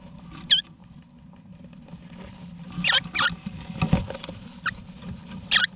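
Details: Wild backyard Eastern rosellas in Australia, both parents with their chicks inside a nesting box, November 2018: scattered short, harsh, high chattering calls at irregular intervals, with soft rustling and thumps in the box and a low steady hum.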